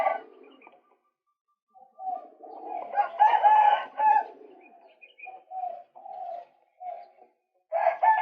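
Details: Male white-breasted waterhen, recorded for luring birds: harsh, croaking notes with a nasal ring, a loud cluster of rough calls in the middle, then shorter clipped kwak notes in uneven succession.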